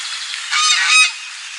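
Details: A domestic goose gives a single loud, harsh honk of about half a second, rising in intensity before cutting off, over faint background hiss.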